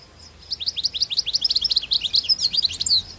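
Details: Wild European goldfinch singing out in the wild: a rapid run of bright, twittering, tinkling notes, each a quick rising-falling chirp, strung together for nearly three seconds over quiet background hiss.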